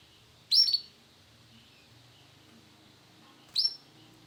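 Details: Male canary of the Sunkist colour variety giving two short, sharp, high chirps about three seconds apart, each a quick upward-sweeping note, with quiet background in between.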